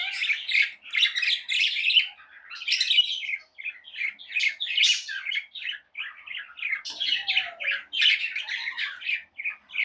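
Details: Nonstop chirping from tame pet budgerigars: harsh, buzzy warbled chatter in dense runs, with a brief soft falling whistle midway.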